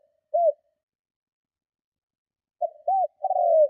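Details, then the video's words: Spotted dove calling to lure and provoke other doves: one short arched coo, a pause of two seconds, then a stuttered note, another short coo and a longer rough coo falling in pitch. "Tiếng Chim Cu Gáy Gù Kích Bổi Cực Mạnh"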